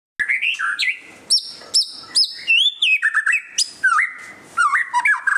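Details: White-rumped shama singing during display: rich, varied phrases of clear whistles, some flat and held, others sliding up or down, mixed with sharp high clicks and short pauses between bursts.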